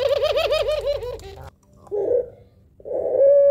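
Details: Barbary dove of the "laughing" long-call type, used as a lure to stir other doves, gives a fast, rolling, wavering coo for just over a second, then two soft, low, muffled coos after a brief pause.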